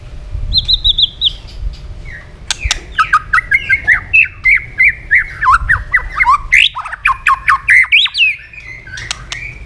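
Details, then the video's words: Fast, intense fighting song of a tail-flicking white-rumped shama: opens with a high trilled whistle, then loud rhythmic series of swooping whistled notes interleaved with sharp crackling clicks, steady and energetic throughout. "chòe lửa đập đuôi liên tục kích thích lửa hót đấu nhanh căng,chòe lửa tạch chòe lửa hót đấu"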